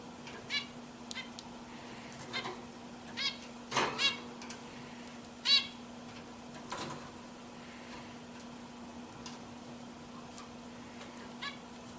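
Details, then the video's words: Several pet zebra finches make sparse, nasal, trumpet-like beeps spaced a second or more apart, with quiet gaps and a constant low hum underneath. "My Zebra Finches Singing"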